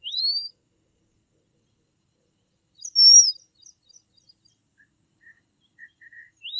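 Red avadavat giving thin, very high rising whistles a few seconds apart, with faint soft chips between them; no other sounds.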